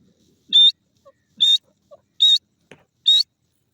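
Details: Grey francolin (Sindhi teetar) giving a series of sharp, shrill, strident notes spaced about 0.8 seconds apart, with soft low clicks and faint chirps in the gaps.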